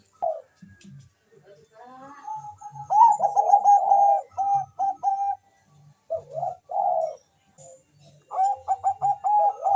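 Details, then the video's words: Zebra dove of the Bangkok perkutut type, calling very fast and answered by a rival. Repeated phrases of quick stuttering coo notes come in bursts separated by short pauses, with a low faint background rumble. "suara perkutut bangkok gacor memanggil sangat cepat di sahut lawan cocok untuk pancingan"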